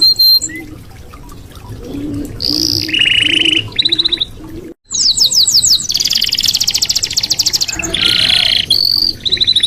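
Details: Red canary singing, used as a master song for training: bursts of fast buzzy trills and rolling chatter high in pitch, with sharp rapid repeated notes and short pauses between phrases, a brief silence near the middle.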